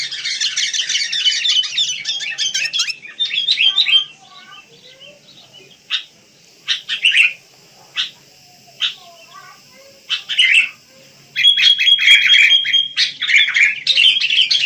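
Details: Wild sooty-headed bulbul chirping: a busy opening of twittering, then scattered single short chirps spaced a second or so apart, and a final rush of bubbly notes with a thin, steady whistle.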